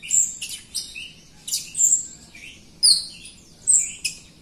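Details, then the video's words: Jalak Rio myna in full song, played as a lure for Jalak Rio birds that are lazy singers; piercing high whistles alternating with scratchy buzzy notes in quick, uneven bursts. "JALAK RIO GACOR untuk pancingan RIO RIO BAHAN OMBYOKAN & MALAS BUNYI"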